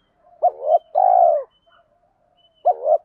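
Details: Spotted doves, male and female, cooing to provoke trained birds. One full phrase gives a brief doubled note and a long purring descending coo, and a second phrase begins at the end.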